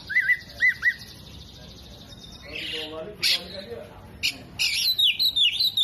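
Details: Oriental magpie-robin, tail spread, mimicking hummingbird, bearded bird and lovebird: three looping whistled notes, a soft buzzy patch, scattered sharp clicks, and finally a string of descending whistled slurs.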